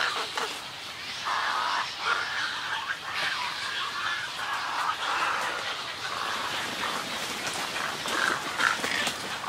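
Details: Colony of snowy egrets calling from close by, a continuous mass of rough, grating squawks layered over each other with brief louder bursts and a constant breathy background.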